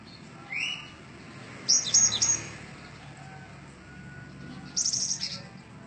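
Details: Cinereous tit singing: one short rising whistle, then two bursts of high, rapid, buzzy twittering notes about three seconds apart, over steady low background noise.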